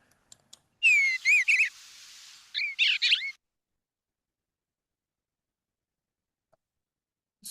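An Eastern Bluebird sings two short bursts of soft, warbled, slurred whistles, each a quick run of rising and falling notes, with a brief pause between.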